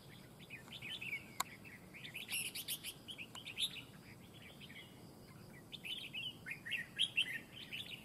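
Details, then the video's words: Fight-trap red-whiskered bulbul pouring out busy, warbling twitters with some loud clustered notes, and a sharp click early on over steady low background noise. "bẫy đấu chào mào"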